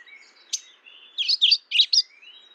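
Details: Mourning warbler giving a brief series of five rich, burry notes in quick succession, preceded by a sharp chip and accompanied by thin, steady high whistles from other birds.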